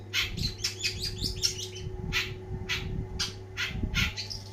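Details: Long-tailed shrike, called cendet, singing a lively, energetic song: bursts of harsh, scratchy notes mixed with brief whistles, some quick series of rasping syllables, with a steady low hum in the background.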